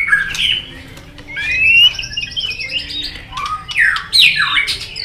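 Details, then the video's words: A white-rumped shama in competition song, long forest-style phrasing: varied slurred whistles, a rapid trill-like run of high notes, then loud swooping calls falling steeply in pitch near the end. "chòe lửa đập đuôi nhấp cầu hót đấu giọng rừng dài"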